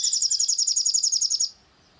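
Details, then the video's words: Long-tailed shrike singing, its recording meant to provoke another bird to sing: a rapid, evenly pulsed very high trill of about a dozen buzzy notes lasting one and a half seconds, then quiet. "PANCINGAN EMOSI SOGON AGAR GACOR"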